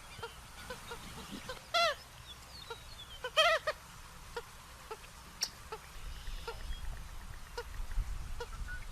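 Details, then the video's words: Purple gallinule uttering scattered soft clucks, broken by two loud, brief nasal squawks, over low background noise that grows rougher toward the end. "Som limpo do canto🎵 do Frango d’água azul"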